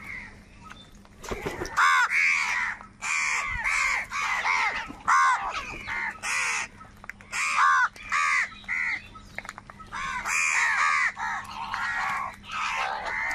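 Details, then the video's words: Crows fighting over food, calling very loudly: a dense run of harsh, hoarse caws from several birds, overlapping and repeated almost without pause, with a low steady hum underneath. "Crow fight scene - Crow bird Fight for Food | very loud voice of crow sound"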